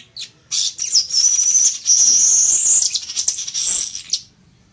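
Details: Village weaver song: a sustained, buzzy, sizzling high chatter lasting nearly four seconds, wheezy and slightly wavering, opened by a couple of quick notes.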